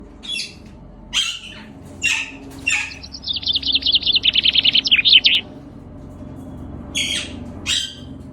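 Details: Young green rose-ringed parakeets kept at a farm house near Islamabad, Pakistan. Harsh, scratchy squawks are broken by a rapid chattering run of short notes lasting about two seconds, then more scattered rasping squawks.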